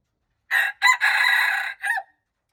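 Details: One junglefowl crow, dated March 19, 2025. A harsh, raspy phrase of four parts: two short notes, a long even stretch, then a quick dropping end note, followed by silence.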